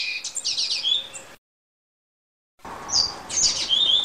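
A Double-collared seedeater sings high, fast phrases of sweeping whistles and buzzy trills in the Greek style, broken by a sudden second of silence before resuming.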